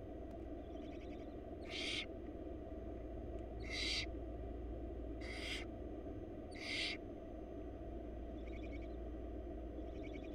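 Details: Young wild barn owls in Florida begging while being fed by their mother at a nest box: four loud hissing screeches roughly every two seconds, with fainter distant hisses and constant low hum.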